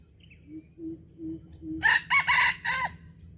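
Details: Red junglefowl from Aceh, recorded as a lure for wild junglefowl: after several soft low hoots spaced about a third of a second apart, a loud, harsh four-part crow bursts out, the last syllable drawn out, over faint background hum.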